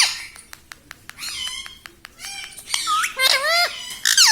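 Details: Talking pet ringneck parrot, called a tota, repeats "Mitthu" and "Mami". The clip opens with sharp clicking taps. Then come wavering, nasal mimicked words that climb into a louder dipping phrase near the end.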